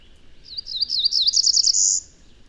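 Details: A male cerulean warbler in southern Indiana sings one song-type variation: a rapid series of high slurred notes speeding up, ending in a sustained rising buzz, all very high-pitched over a quiet background.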